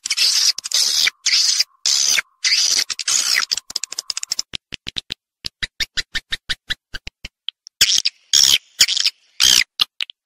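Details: Swiftlet sound from Vietnam begins with long, raspy, buzzy chirps, shifts to a rattle of rapid dry clicks, and ends with more harsh trilling bursts.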